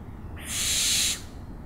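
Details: One rasping, breathy owl screech lasting about three quarters of a second, loud and noisy, set against quiet low background noise.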